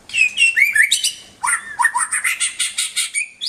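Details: White-rumped shama song for tutoring pet birds: varied slurred whistles and raspy notes, then a fast series of about a dozen evenly spaced harsh chattering notes.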